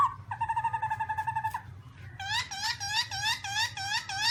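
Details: Song of a black-throated laughingthrush: a steady harmonic buzzing trill, then a quick series of bright, curving, repeated whistled notes, softer than the background low rumble suggests.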